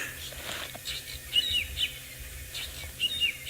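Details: Wild drongos in Africa on 11 December 2018, still mobbing a Wahlberg's Eagle that has flown into a nearby tree: short, sharp, high chirping notes in small clusters of two or three, fairly faint, over steady hiss and a low rumble.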